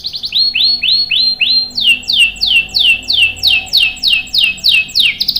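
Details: Lively canary with a long rolling song, played to prompt and tutor young birds: a run of evenly spaced down-slurred whistles, then louder, steeper descending sweeps repeated about twice a second, with a faint steady hum beneath.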